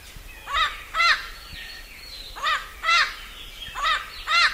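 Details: Parrot at dusk giving harsh, raspy squawks with stacked harmonics, delivered in pairs: three doubled calls spaced about 1.5 seconds apart, each note arching in pitch, over a quiet background.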